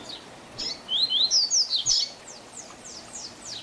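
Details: Double-collared seedeater singing the Tui Tui Zel Zel song style, used as a tutor song for young birds: a quick run of bright, high upslurred whistles rising and falling, then softer scattered chirps at the end.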